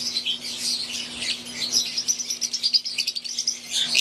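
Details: Aviary flock of wild-type green Fischer's lovebirds and Euwing lovebirds: continuous shrill twittering from many birds at once, with quick pulsed chips swelling toward the end and a faint constant hum beneath.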